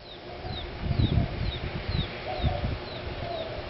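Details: Gambel's quail chicks hatched in early May 2010 in Tucson: a steady series of thin, high, downward-slurred peeps, about two per second, over low rumbling handling noise.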